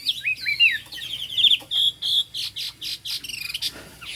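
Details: Chinese hwamei singing 'cao cầu': sweeping whistled slurs open the phrase, followed by a rhythmic series of short, sharp notes repeated about every quarter second.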